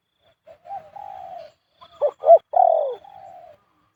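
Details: Spotted dove giving its khu-ang coo style, which it uses almost all the time: soft low short notes, then a sustained level coo, then a pair of quick stressed notes leading into a long falling coo.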